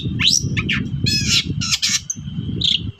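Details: Long-tailed shrike calling in a 'toet-toet' lure for birds that are slow to sing: harsh rising squawks and scratchy chattering notes packed closely together, over heavy low rumbling noise and a thin steady whine.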